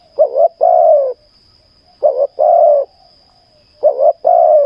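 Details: Spotted dove in a ground decoy session calls three times in a row, each phrase a bubbly double coo and then a longer sliding croon, about every two seconds, against a faint continuous high tone.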